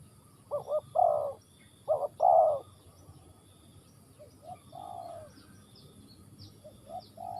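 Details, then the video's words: Spotted dove from Ninh Thuận, Vietnam, cooing: low, soft paired coos in two quick bursts, then a longer drawn-out coo and quieter short notes, with faint high chirps of other birds behind. "Cu gáy Ninh Thuận"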